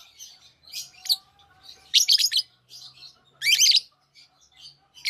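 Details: Several healthy, active lovebirds chatter together: scattered thin squeaks and chips, then two loud clusters of harsh, rapid screechy notes, with softer twitters between and a faint low hum underneath.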